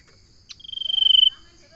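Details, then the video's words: A common iora gives a single steady trill under one second long, its pulses quickening and growing louder before stopping abruptly. A faint constant hum sits behind it. "Suara burung sirtu/ Suara burung Cipo/ Suara burung Cipow/ Suara burung cipoh"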